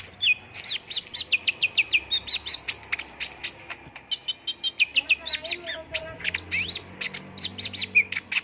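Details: Dense high-pitched chattering song of an olive-backed sunbird, a lure to trigger quick singing. Rapid ticks mix with curling whistled notes and short rising-falling phrases, nearly continuous throughout.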